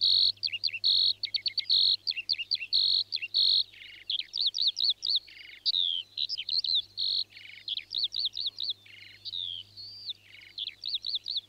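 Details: Northern lapwings (Vanellus vanellus) give a busy stream of wheezy, slurred high notes that rise and fall, several per second and overlapping. A faint low hum sits underneath.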